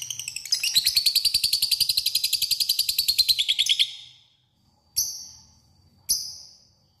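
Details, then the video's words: Lovebird giving a long ngekek, a lure to call a rival: about three seconds of rapid, evenly paced high chips that sag slightly in pitch, then two isolated sharp squeaks after a pause. "LOVEBIFD DIAM CUKUP SEKALI DENGAR AKAN IKUT NGEKEK PANJANG PANCINGAN LOVEBIRD MANJUR"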